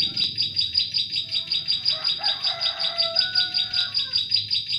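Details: Bar-winged prinia (ciblek sawah) lure song for catching prenjak klik in forest; evenly spaced high chipping notes run quickly throughout, with faint lower whistles from other birds in the middle.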